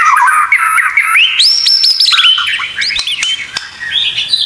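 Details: White-rumped shama (murai batu) song in a masteran tutor recording with full 'isian tembakan' fill-ins. It gives rapid varied whistles, sliding and rising notes with quick trills, loud and continuous.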